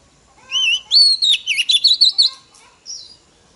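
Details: Oriental magpie-robin hen singing to stimulate males: a wavering whistled note, then a rapid run of sweet, looping high whistles pulsing about three times a second, ending after a pause with one short higher note.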